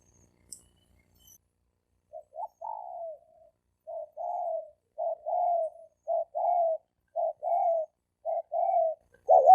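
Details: Wild male spotted doves in a fighting challenge, recorded in 2020. After two seconds of quiet, low hoarse coos come in short paired and single notes, each dipping slightly in pitch, repeated about once a second in an uneven rhythm.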